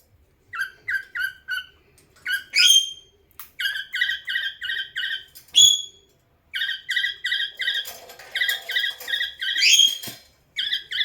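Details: Pet cockatiel singing hard to another parrot: bursts of short, bright chirped notes repeated in quick runs, broken by sharp rising whistles and brief pauses, indoors with faint low knocks.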